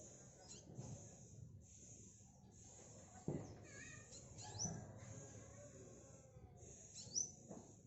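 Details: Tame, spotted black sunbird practising its song: long, very high, thin sustained notes repeated in runs, broken by brief squeaky upward and downward sweeps, over quiet low room noise with a sharp knock partway through.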